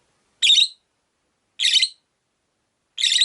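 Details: Five caged rosy-faced lovebirds by a window; one calls with three loud, grating high chirps in quick succession, about a second and a quarter apart.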